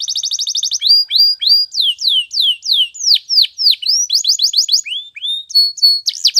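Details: A canary, in a morning training song possibly of the Spanish Timbrado type, sings a bright, fast, varied song: rapid high trills alternate with swooping downslurred whistles, roughly three notes a second, with no other sounds.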